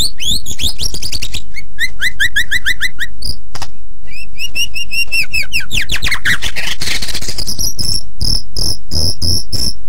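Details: Highly vocal white-rumped shama singing a tutor song for other birds to copy. A fast, varied run of rapid chirps and trills, then series of clear repeated whistled notes, and finally sharp high piping notes.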